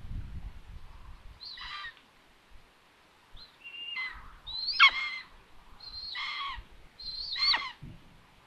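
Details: Common buzzard mother during food delivery at an empty nest, Tiszalök, Hungary, June 21, 2022; a series of five harsh, high mews, some rising then plunging, spaced about a second apart after a quiet start, with faint low rumbling.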